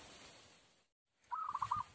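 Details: A zebra dove recording played from an MP3 player as a trapping lure gives a short, quick run of about five soft, staccato cooing notes at mid pitch, with a steady high electronic whine before and after a brief silence.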